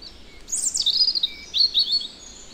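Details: European robin singing in the Netherlands: a high, thin warbled phrase of rapid twittering and slurred notes, briefly rising and falling, with a faint lower note and quiet background between phrases.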